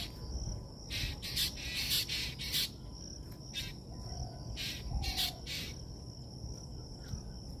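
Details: At Bangabandhu Hi-Tech City, Kaliakair, Gazipur, on 3 June 2024, a black drongo gives harsh, rasping bursts, some quick and paired, over a steady high insect whine and a low background rumble.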